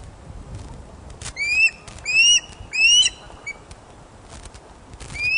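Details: Osprey calling at its Loch of the Lowes nest in Scotland as a large fish is delivered, webcam recording from 31 August 2013, 16:39. Three clear upward-sweeping whistled chirps come close together, then a pause and one more chirp at the end.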